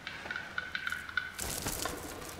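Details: Two male black-billed capercaillies in courtship song contest in April, end of winter, western Greater Xing'an Range, northern China: a run of sharp, irregular clicks for about a second, then a harsh, hissing scrape; singing to attract a mate.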